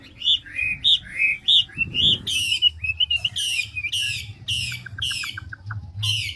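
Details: Big old forest-caught Chinese hwamei changing its voice quickly: ringing whistled double notes, then a loud repeated series of buzzy downslurred calls with a short burst of clipped notes between, over low background hum.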